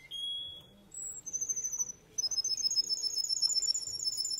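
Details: Singing male Russian canary: short high whistles and a steady tone lead into a rapid, rattling trill of evenly repeated notes, with faint background hum.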